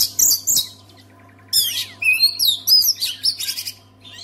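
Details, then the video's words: An Oriental magpie-robin sings to set other magpie-robins singing: two short high bursts, a pause, then a flowing sequence of sweet whistles, downslurs and harsh chatters, all above a low steady hum. "KACER ANDA MACET BISU? SEKALI DENGAR KICAUAN KACER INI PASTI LANGSUNG GACOR"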